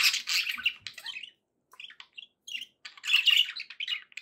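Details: Pet budgerigars giving a burst of harsh warbling, then scattered short chirps, ending in another loud scratchy run of notes.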